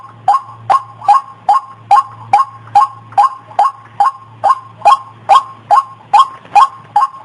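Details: White-breasted waterhen call used as a lure to attract the opposite sex: short harsh notes repeated steadily about every 0.4 seconds, each with a sharp click at its start, over a constant low electrical hum.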